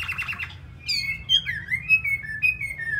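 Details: A caged Chinese hwamei in Hanoi, kept as a loud singing and fighting bird, sings loud, clear whistled phrases of varied notes, some sliding and some repeated, after a brief burst of harsh chatter.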